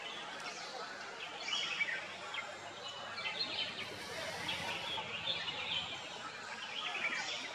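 Red-whiskered bulbul giving short, bright chirping notes over a steady hiss, with other twittering birds in the background.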